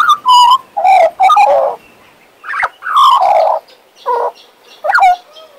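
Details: A male Western Australian magpie kept as a pet sings rich carolling phrases, dropping slurred notes and throaty gurgles in short bursts separated by brief gaps.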